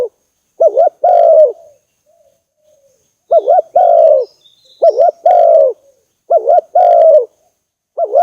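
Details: Spotted dove call for exciting decoy birds when trapping: wavering short notes each followed by a long low coo, phrases coming in bursts with pauses between, and thin high chirps faintly behind.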